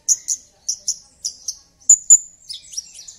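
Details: Lure song of a Javan bush lark for getting a silent bird to sing. Clean paired high chips repeat several times, then two sharp whistles and a short jumble of slurred notes, over near silence.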